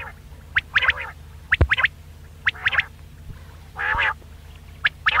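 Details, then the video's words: Quail lure call: sharp clipped notes in quick groups of two or three, repeated about once a second, with one longer harsh buzzy burst. A low thud and steady hum are audible. "Batair ka Bulara | VOL 66 | Quail Voice"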